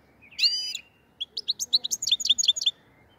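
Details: Song of a black-headed goldfinch from Andijan, Kuva and Fergana, Uzbekistan. A nasal buzzy note leads into a rapid series of about fifteen crisp, slurred twittering notes, quickening toward the end.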